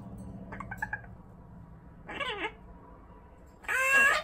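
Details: Amazon parrot giving three short harmonic calls: a quick stuttering burst, then a descending squawk, then a louder, bright, wavering call at the end, with quiet background hum between.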